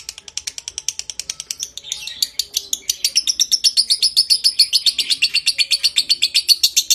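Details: Lovebird giving a long ngekek trill, a training recording meant to stimulate breeding condition: rapid harsh chattering notes, about four per second, high-pitched and buzzy, running continuously and growing denser and louder midway.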